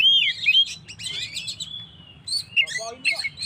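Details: Oriental magpie-robin in full 'gacor' song, meant to provoke stressed birds: looping whistles, a drawn-out fading note, then sharp clipped chirps and buzzy bursts.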